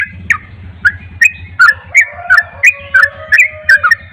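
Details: Persistent, energetic Javan pied starling song: rapid whistled and chattering notes about three per second, each topped by a sharp high tick, with a low rumbling hum underneath.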